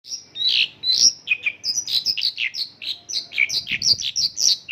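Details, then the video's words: Mongolian lark singing a song filled with local-style phrases: loud, rapid series of short chirped and buzzy notes, each lasting a fraction of a second, delivered in a steady, slightly varied stream. "Mongolian lark isian lokalan"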